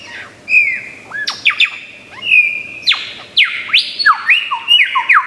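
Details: Lyrebird of Australia's forests, a skilled mimic, pouring out a loud varied sequence of clear whistles, upward and downward slurs and sharp whip-like notes, densely packed and rhythmic.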